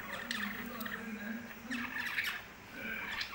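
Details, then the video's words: Pet lovebirds calling with grating squawks and chirps in three loose bursts, over a low background hum. "love birds kothai birds speaking"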